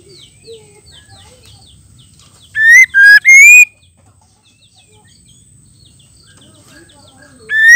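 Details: Female white-rumped shama calling to stir males into singing: soft scattered chirps, then a loud burst of three strong harmonic whistles. The first two are level and the third slides upward. Another call begins at the end.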